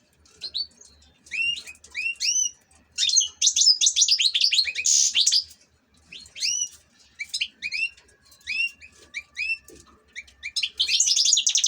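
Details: Ornamental European goldfinch in song, giving high tinkling phrases of rising, sharply inflected notes, broken by dense buzzy twitters around the middle and again at the end, with short gaps between bursts.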